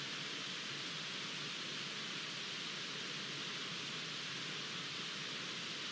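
Constant broadband hiss like wind or rushing water throughout, with no animal call audible.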